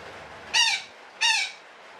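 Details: Betet parakeet uttering two harsh, grating squawks about 0.7 seconds apart, from its long 'ngekek' calling, against a faint hiss.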